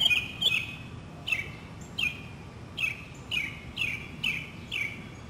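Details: Northern mockingbird in a South Carolina city neighborhood, spring 2008, repeating a loud down-slurred whistled note about twice a second after a brief twittering opening; steady low background noise.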